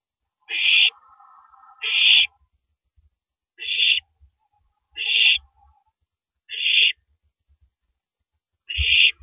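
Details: Owl feeding on a big rabbit, tearing it up and finally downing it, 3:33 AM, 9 April 2012, on a live camera. Six breathy, screechy bursts, with a lower wavering murmur joining the first two.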